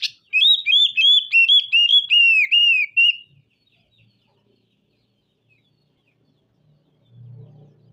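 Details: Oriental magpie-robin producing harsh song material. A steady string of loud, slurred whistles, about ten in three seconds, then near silence with a faint low rumble at the end.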